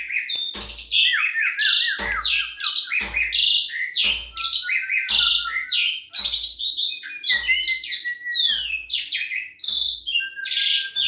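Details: Young black-winged starling singing; loud varied phrases of whistles, harsh buzzy bursts and descending slurred notes, broken by sharp clicks roughly every second, with low thumps beneath.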